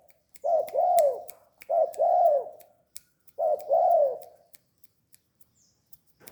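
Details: Three throaty, rounded coo phrases from a tame, actively calling spotted dove, each a short lead note and a longer arching coo, separated by brief silences and faint clicks.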